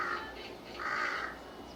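A crow gives two harsh, hoarse caws, each drawn out and slightly nasal, with a short gap between them.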